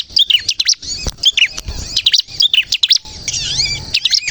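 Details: Bar-winged prinia in lively song, used as a lure to get other prinias to sing: rapid bursts of sharp, high chirps and quick downslurred notes, broken by short pauses and low background thumps.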